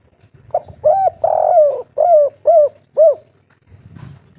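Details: A local spotted dove of the three-note "kuk 3" type, used as a lure for other doves, gives a soft, mellow run of about six husky coos, each slightly arched and falling, roughly two per second, followed by a faint rustle.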